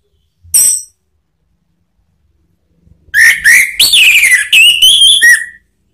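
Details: Male orange-headed thrush singing to provoke a reply from other birds: a brief high note, then after a pause a loud run of varied whistled phrases, rising and falling slurs with harsh overtones.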